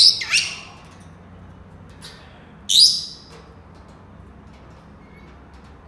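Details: Senegal parrot calling with sharp, scratchy high bursts: a quick pair at the start, a faint click, then another loud rasping call, with quiet gaps of about two seconds.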